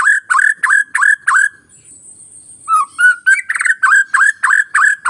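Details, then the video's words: White-rumped shama song used to provoke reluctant birds into singing: a run of strong, rapidly repeated harsh notes, a thin high whistle during a short gap, then rising slurs leading into another quick repeated series. "Pancingan MURAI BATU Bahan Malas Bunyi Paling Cepat direspon"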